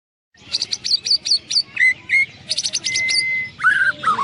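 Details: White-rumped shama singing at a songbird contest in Landak, 15 October 2017: bursts of rapid, buzzy, high repeated notes alternate with clear whistled phrases and a long, steady whistle, with other birds faintly behind.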